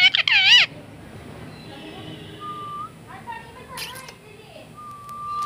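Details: A talking ringneck (rose-ringed parakeet) says "Rupu katore katore", opening with a loud, shrill burst of wavering talk-like squawks, followed by softer whistled notes and short chattering phrases.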